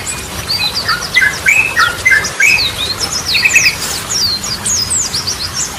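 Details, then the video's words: Yellow-vented bulbul singing energetically in a lure recording for reviving stalled birds. Styles include Goklikan, Ropelan and Garudaan. Scratchy mid-pitched chatter gives way to high slurred whistles, continuous and busy, with low background hiss. "Ragam Suara Burung Trucukan || Goklikan, Ropelan, Garudaan Cocok Buat Pancingan"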